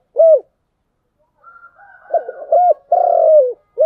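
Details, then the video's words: A lone short coo from a spotted dove, then a soft lead-in and the 'giọng đồng' (bronze-voiced) phrase: a hooked coo, a long drawn-out coo and the start of another short note. "Cu gáy giọng đồng"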